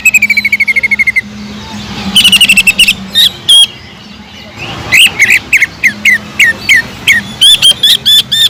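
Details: Greater green leafbird giving its kingfisher-imitation song: it opens with a fast buzzing trill, then sharp rattles and a quiet gap, then quick upslurred whistles repeated rapidly.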